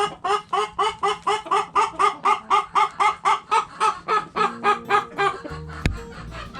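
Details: Chickens pecking and scratching; a steady run of short harmonic clucks, about four per second, evenly spaced, then fading into scratchy rustling and a sharp knock near the end.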